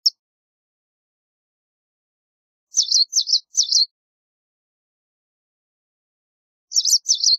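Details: Motacilla alba, the white wagtail, giving a quick run of three high, scratchy chirps, a long pause, then two more. The notes are clipped and twittering, set against complete quiet.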